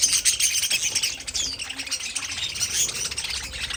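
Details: Pet budgerigar colony in an aviary: quick runs of short high chirps mixed with warbling chatter from several birds, pulsing irregularly.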